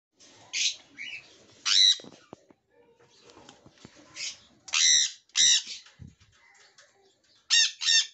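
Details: A Jenday conure, recorded in an aviary on 1 November 2021, gives loud, harsh, grating screeches in short bursts, several close pairs spaced a second or two apart, with quieter rustling between.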